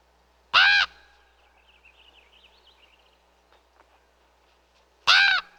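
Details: Raven calling twice, well apart: two loud, grating caws with a faint twittering of small birds and quiet outdoor ambience in the gap between them.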